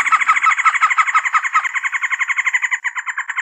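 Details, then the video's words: Trogon giving a fast chattering run of clipped, harsh notes repeated evenly, with a thin high whine running through the background. "THE BEST TROGON SOUNDS COMPILATION"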